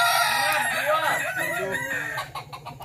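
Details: Crowing of Kukuak Balenggek roosters at a Sawah Lunto practice contest: dense, loud harmonic crow with a string of descending arched notes, overlapping calls and a low hum beneath.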